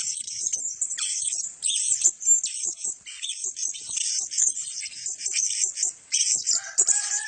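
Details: Male blue-crowned hanging parrots chattering in high, sibilant, overlapping notes that come in bursts with short pauses, plus a few lower, sliding squeaks near the end.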